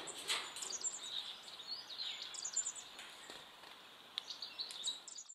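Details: A pair of White-browed Woodswallows in a large aviary, feeding on mealworms, give overlapping, high, scratchy chirps and short chattering notes over a steady background hiss.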